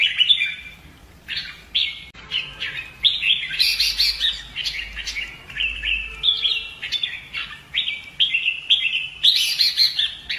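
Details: Vietnamese red-whiskered bulbul kept for song contests, worked up and trained for fighting song: quick run of clear whistled, warbling phrases, rising and falling notes, steady pattern through the clip with brief gaps.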